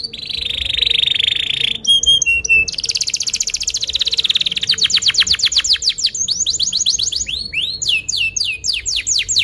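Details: Canary lure song for training young birds: a steady buzzy trill, a brief chattering burst, a dense rapid trill, then a run of repeated downward sweeps and looping whistles.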